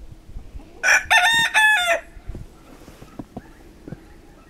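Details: Pavlovskaya rooster crowing in winter in Barnaul, Altai, Siberia, on November 28, 2015: one loud harsh cock-a-doodle-doo in three broken segments lasting about a second, followed by faint clucks and low knocks.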